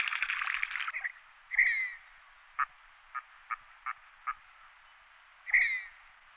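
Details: Red-breasted merganser call sequence. It opens with a burst of harsh rattling and includes two sharp, rising squeaky notes about four seconds apart. Between them come scattered single low croaks.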